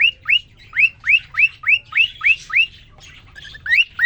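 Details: A caged male cockatiel twittering to a female just placed with him: eight ringing, downslurred notes in fast succession, a stretch of softer mixed chatter, then two more sharp chirps.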